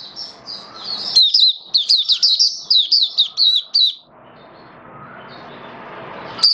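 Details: Caged oriental white-eye singing, tested on its first day with a song-display booster, 21 October 2022: rapid high twittering notes in a fast run lasting about three seconds, then quiet with faint background hiss.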